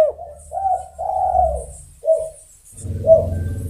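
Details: Spotted dove calling to other birds: a series of low, hoarse cooing notes, a short one followed by longer drawn-out coos with brief gaps, plus a faint low hum in the background.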